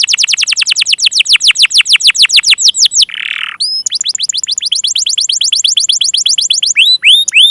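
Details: Domestic canary pancingan song for prompting silent and young birds: a long run of quick descending whistles, a short buzzy burst, then another rapid run of sweeps ending in a few upslurred notes.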